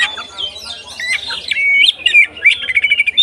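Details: Kacer singing 'konslet ngeplong' to provoke other kacer: a soft whistled opening, then a rapid run of clear whistled notes and chips that speeds up toward the end.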